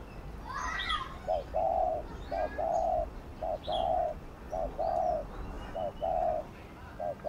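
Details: Spotted dove giving the bowing 'gù' coo used to stimulate newly caught and decoy birds to call: short wavering notes followed by longer steady coos in quick pairs, with faint higher chirps from other birds and a noisy rural background.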